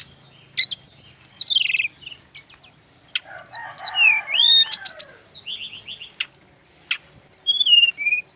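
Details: Brown-chested jungle flycatcher from Bali singing to get birds of its kind to answer at once. Rapid repeated high notes lead into looping slurred whistles and trills, with short gaps between phrases.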